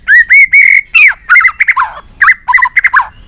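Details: A white-rumped shama delivers a fast, varied song meant to excite other shamas: three clear slurred whistles, then tumbling falling notes and quick warbled phrases ending in short rapid chips.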